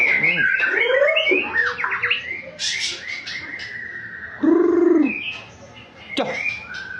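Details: Champion white-rumped shama in a varied song of sweeping whistles, quick up-and-down slurs and a sustained high note, with low, rich, arched notes near the middle and a sharp click near the end.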